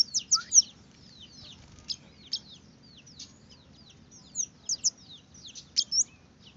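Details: Red-headed finch giving scattered high, downslurred chirps and soft twittering, a few louder notes at the start and end, over quiet background.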